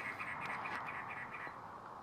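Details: A cactus wren calling in the desert of North Phoenix, Arizona, gives a harsh, rasping chug of rapid repeated notes, about eight a second, steady and unmusical, over a faint background hiss.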